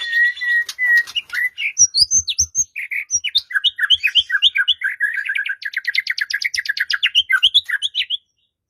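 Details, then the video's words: White-rumped shama song played to provoke a quiet shama into singing, for use in morning or afternoon: steady whistled notes, then rapid varied phrases and a long fast rattling trill of repeated notes, with soft low clicks. "Murai Batu Diam Dengar Kicauan ini Seketika Langsung Nyaut GACOR"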